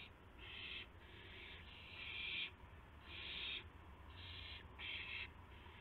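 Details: Owl calling at 12:25 AM on April 7, 2016, during a gopher delivery with flapping and pouncing; harsh, raspy hissing bursts of about half a second, repeated irregularly roughly every second, over a low steady background hum.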